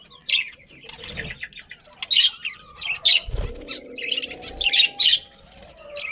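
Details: Budgerigars in a breeding colony with a breeding pair, giving bursts of sharp, high chirps and short warbled notes in uneven clusters, separated by brief quiet gaps and a soft low thump.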